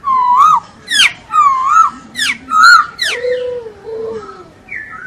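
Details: Masked laughingthrush singing as a tutor recording for training birds: loud clear whistled phrases, some rising and some falling in steep sweeps, with pauses between notes and a lower wavering whistle near the end.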